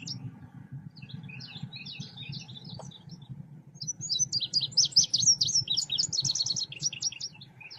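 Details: Selendang biru songbird, used as a lure sound for trapping birds: rapid, high, sweet twittering chirps and trills, quieter at first, then louder and denser in the second half, over a steady low hum.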